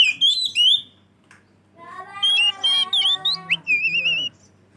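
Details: Oriental magpie-robin (kacer) in loud, clear full song used as a lure for other magpie-robins: bright whistled phrases near the start, then a run of harmonic-rich notes, rising slurs and wavering trills, with a faint low hum beneath.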